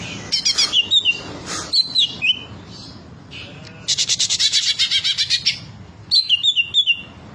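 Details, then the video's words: Green leafbird (cucak ijo) in full rich song: sharp whistled slurs and chirps, a quick run of rapid, evenly spaced high ticking notes, then more descending whistled phrases. "cucak ijo bongkar materi mewah"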